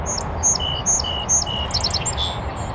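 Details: Song Sparrow on a northern USA oak savanna near a beaver pond, singing high, sharp repeated notes paired with lower whistles, then a rapid tumbling burst of notes, over a constant low rushing background.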